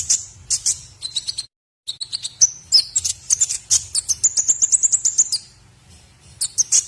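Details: White-rumped shama song used as training material for other birds: rapid high whistles, metallic trills and fast repeated chips in varied sequences, with a short silent cut partway through.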